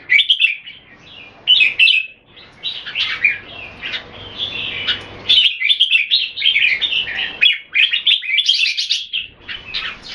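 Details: Red-whiskered bulbul song during a Singapore-style display competition among kept birds, continuous lively warbling with quick rising and falling notes, short breaks, and high sharp squeaks.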